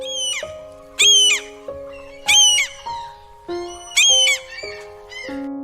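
Gull calls: loud, harsh squealing bursts repeated every second or so over steady background music.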